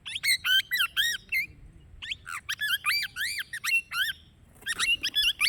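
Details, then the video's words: A plum-headed parakeet, apparently a pet, gives rapid, shrill squawks and chattering notes that rise and fall, about four a second, with a brief pause midway. "original sound of plum headed parakeet parrot"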